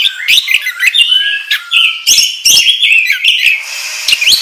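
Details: Oriental magpie-robin singing energetically in 'gacor ngobra' style as a training lure: a run of bright whistled notes, rapid twittering and scratchy accents, nearly continuous, trailing into softer chatter at the end.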